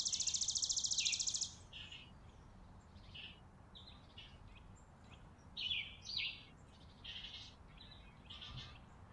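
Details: Chickadees feeding on a porch in winter, recorded in December 2022: a fast, buzzy pulsed burst opens, followed by scattered short high chips and slurred notes against quiet background noise.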